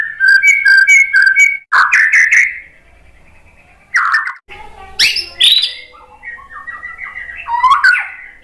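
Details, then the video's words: White-rumped shama singing, played as a lure: rich whistled phrases with fast repeated notes, rising and falling slurs and sharp high accents, in separate bursts with brief pauses. "OCEHAN MURAI BATU BIKIN NYAUT JADI GACOR NGEPLONG"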